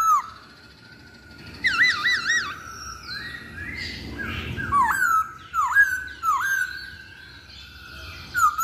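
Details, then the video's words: Masked laughingthrush in a lure recording: a quavering, wavering whistle, then soft slides and a run of dipping whistled notes about once a second, over low background rumble. "Pancingan Poksay Hongkong"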